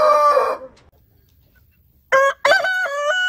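A rooster's crow trails off, then after a pause comes a short harsh note and a fresh, loud, stepped crow that holds its final pitch.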